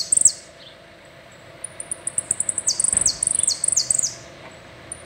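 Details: Singing saffron finch, complete "el rollo" song: a brief high burst, a pause, then accelerating sharp high notes mixed with stepwise downward buzzy strokes before fading to silence.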